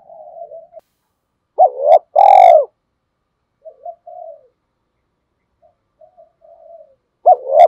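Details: Decoy spotted dove, used to stir wild doves into cooing, giving mid-pitched coos in irregular bursts: soft wavering notes mixed with a few loud, harsh, full coos set apart by silent pauses.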